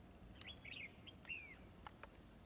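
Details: Red-whiskered bulbul in a trapping setting, in a fighting display, giving a chattering warble followed by a long, clear, downslurred whistle, with scattered clicks around it.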